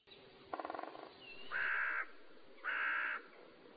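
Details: Crow at sunrise over a field in Zealand, Denmark, in September, giving a quick, stuttering rattle followed by two harsh, drawn-out caws about a second apart, over a low outdoor hush.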